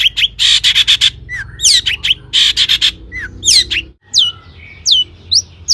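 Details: Long-tailed shrike in full, varied song, meant as a lure for other shrikes: harsh chattering bursts mixed with sweeping, downslurred whistles and squeaks, delivered in an irregular jumble.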